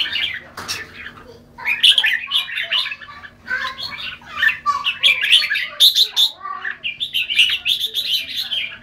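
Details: Red-whiskered bulbul giving busy chattering song: rapid tweets and squawky warbled notes in overlapping bursts, loudest midway and near the end, with a low constant hum behind.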